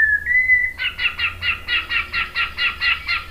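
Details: White-rumped shama song used as a lure to prompt another bird to answer: one long steady whistle, then a quick series of rolling, buzzy notes repeated about twice a second.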